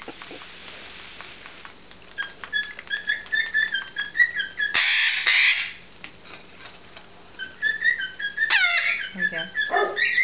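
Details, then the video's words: Two 3-month-old eclectus parrots at their nightly hand feeding give rapid, squeaky whistled chirps and nasal squawks in quick bursts, with a loud rustling thump partway through and brief low human sounds. "Eclectus parrots being hand fed"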